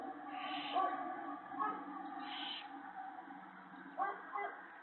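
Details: Owl at a nest with its mate and owlets, evening of March 19, 2017, as prey such as mice and a rabbit is brought in; two breathy hissing bursts about two seconds apart over steady background hum.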